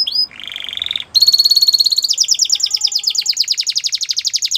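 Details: Canary singing to get a quiet canary singing again: a short harsh lower buzz, a bright steady tone, then a long rapid pulsing trill of repeated notes.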